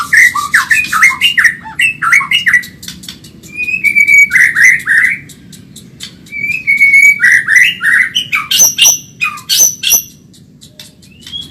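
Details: Medan white-rumped shama singing a fast, energetic tutor song for training caged birds: quick chattering bursts of slurred notes, level whistles held briefly, and sharp high upsweeps with scattered clicks near the end.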